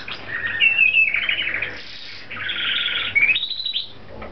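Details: A pet talking rainbow lorikeet indoors gives shrill, rapid chirps and raspy chattering notes, rising and falling in quick bursts with barely a pause, over faint indoor background noise.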